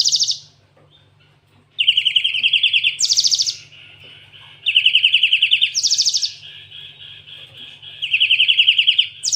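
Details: Cinereous tit, or gelatik watu, singing full canary fill: high sharp trill bursts alternating with lower rapid rolling trills, repeated in linked phrases over a faint background hum.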